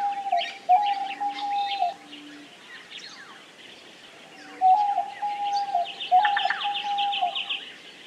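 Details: Diamond dove (Geopelia cuneata) singing sustained, even-pitched tones in two bursts, each with brief low notes below, while other birds keep up a dense chatter of high chirps and trills in the background.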